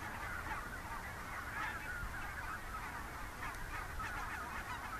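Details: Thousands of wild geese (Barnacle, Greylag and White-fronted) calling in flight in the morning, heading from their roost in the IJsselmeer shallows to nearby fields to feed, near Gaat, Netherlands, October 2015: a dense, continuous wall of overlapping nasal honks over a low rumble.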